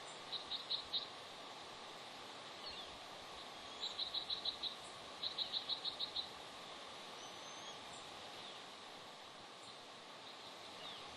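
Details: Bald eagle pair calling at their Pelican Harbor nest on Santa Cruz Island in the afternoon as the male arrives and the female, incubating a two-day-old egg, prepares to leave; three bursts of high, thin, rapidly repeated piping notes, four to seven per series, over steady background hiss.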